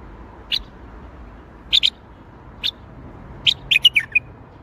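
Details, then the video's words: Bulbul song in the Baghdadi style, delivered as scattered short bright notes: single chirps, then a quick double note, then a closing cluster of four or five, separated by quiet gaps. "تغريد بلبل طور بغدادي"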